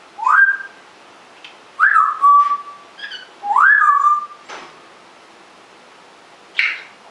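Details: Pet African grey parrot, rescued and talking when left alone in the room, whistles a rising then level tune three times, each phrase sliding up and holding steady, followed by a brief rougher call.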